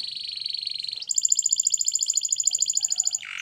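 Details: Spanish Timbrado canary training song: a continuous rapid rolled trill that jumps to a higher, brighter metallic roll, finishing with a lower rasping note.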